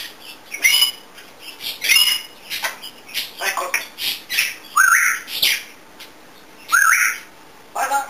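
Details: Talkative pet African grey parrot making varied sounds: short noisy squawks and clicks, broken by two clear rising whistled notes, with brief rattling bursts in between.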